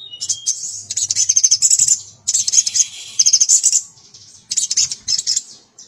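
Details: Male crested jay calling to a female gives loud, harsh, rattling chatters in bursts of about a second, with short pauses between them, over a faint low hum.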